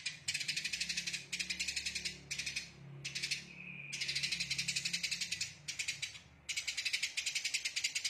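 A Eurasian tree sparrow delivers dense, high, harsh chattering in rapid rattling bursts of about a second, with brief pauses between. A faint low hum lies underneath.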